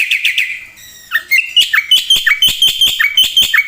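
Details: Vigorous black-winged myna song rich in filler phrases, moving from a few buzzy chirps into a regular, fast series of ringing whistles alternating with downward-slurred notes.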